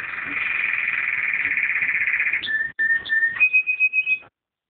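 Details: Canary song, a long rapid buzzy trill giving way to a lower steady whistled note, then a higher whistled note repeated in quick pulses before stopping.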